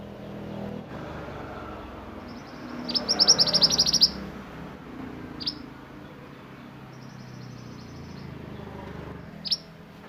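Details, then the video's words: Sunbird in energetic 'roll nembak' style song, valued for tutoring other songbirds: a fast burst of high, sharp metallic notes, followed by scattered single piercing chips and a thin high trill over soft low background hum. "Burung mantenan gacor roll nembak untuk masteran"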